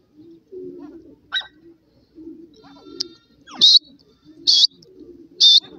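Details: Francolin calling: three loud, shrill, high-pitched bursts about one second apart stand out over soft, low cooing from doves in the background.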